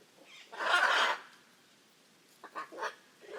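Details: Hyacinth macaw in the Pantanal, Brazil, letting out one long harsh screech, then quieter clipped squawks.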